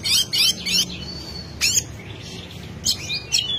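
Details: Oriental magpie-robin singing to provoke a rival: scattered high, harsh, buzzy bursts and thin upswept whistles with pauses between them, over a low background hum.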